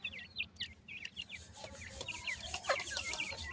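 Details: Several grey francolin chicks peep rapidly, thin high chirps that rise then drop, about two every second, over a rubbing, scratchy background.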